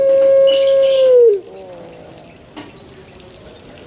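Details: A male Barbary dove gives one drawn-out, even coo lasting over a second that drops in pitch at the close, then goes quiet apart from faint rustling and a soft click.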